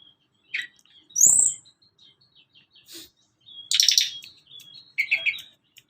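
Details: Sunda Robin (tledekan gunung) singing, used as a lure for young and adult caged birds: thin level whistles, a sharp high sweep, and a loud buzzy burst followed by chattering notes.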